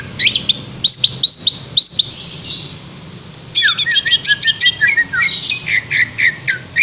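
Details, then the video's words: Green leafbird (cucak hijau) from Yogyakarta singing actively: rapid run of high, sharp chirps and quick rising and falling slurred notes, with a short pause and then a dense burst of varied twittering notes. No other clear sounds. "kicau burung CUCAK HIJAU GACOR"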